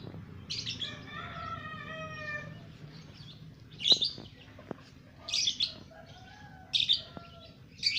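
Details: Ngekek from a lovebird only two months old: a piercing chirp, then a sustained buzzy, layered tone lasting over a second, followed by scattered shrill chirps and a few soft clicks or taps, with a low hum.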